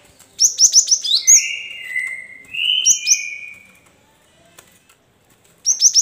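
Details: A cinereous tit sings a quick burst of high, sharp chirps, then two long, clear whistles at lower pitch, before the high chirps start again; a lure song meant to get reluctant tits to sing and answer.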